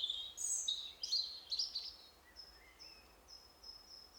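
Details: European robin singing in a forest in spring, during the breeding season, marking its territory: a varied run of high, crystalline, fluttering notes, then a string of thin, pure whistles repeated about every half second.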